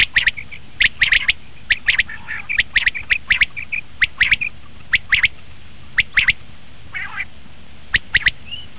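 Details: Common quail calls used to lure quail for hunting: sharp, repeated notes in pairs and triplets about once a second, with one brief raspy buzz midway and quiet background noise.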